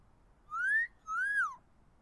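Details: A pet blue-fronted amazon perched outside in a backyard tree on a warm, pleasant day gives two clear whistles, the first rising, the second rising then dropping away, each about half a second long.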